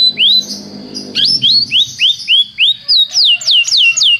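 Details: Canary tutor song used for song training: a steady run of clear, rising whistled upslurs, about four a second, that become steeper and higher toward the end, with a faint low hum beneath.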